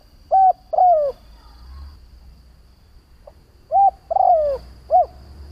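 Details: Spotted dove used as a calling lure to provoke other doves: two coo phrases of flat, falling and arched notes separated by about three seconds; low rumble in background.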